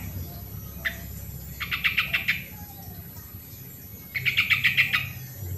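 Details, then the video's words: Original sooty-headed bulbul recording to get lazy birds singing: a single sharp note, then two fast rattling phrases of evenly pulsed notes about two seconds apart. "suara original burung trucuk pancingan trucukan yang malas bunyi"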